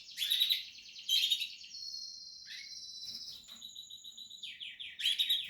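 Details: Canary nestlings of the Portuguese harlequin breed in a nest, giving high, thin chirping bursts with a brief buzzy trill between them. The bursts come about once a second and are separated by quieter, sustained high notes.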